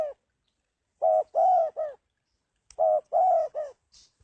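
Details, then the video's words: Spotted dove giving an unusual cooing call: two phrases of three low, hollow coos, the middle coo longest and loudest, the phrases about two seconds apart, with faint high ticks between them. "tiếng chim cu gáy Độc Lạ"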